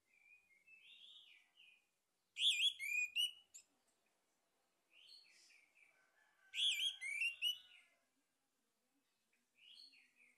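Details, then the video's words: Male orange-headed thrush, a lure recording to stimulate singing: loud rich whistled phrases with rapid warbled notes in two bursts about four seconds apart, between softer, lower warbling passages. "PANCINGAN ANIS MERAH JANTAN PALING POPULER"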